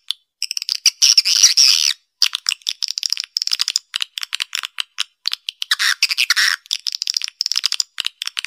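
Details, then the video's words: Calls of swiftlets used to lure them to a nesting site: rattling bursts of clicks blended with buzzy, trilled chirps, broken by short pauses and a couple of lower rasping notes. "Suara Panggil Walet"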